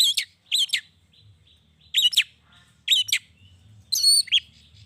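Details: Long-tailed shrike song meant to trigger answers from other shrikes: separate bursts of sharp, scratchy chirps repeated roughly once a second, with a faint low hum.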